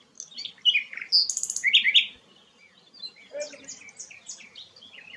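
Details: Rare sikatan londo flycatcher singing bright slurred whistles and a short buzzy trill, after which a soft low note and a spread of thin high twitters follow.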